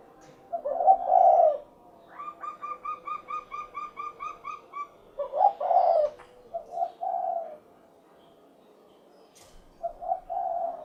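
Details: Low rolling coos of a spotted dove, locally derkuku, open and close the sequence, while a series of about ten higher, evenly spaced chirping notes from another bird runs through the middle.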